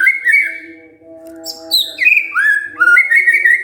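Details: Provoked white-rumped shama answering in song: a sustained warbled whistle, a brief pause, then high rising notes and rich fluting phrases that dip and climb again.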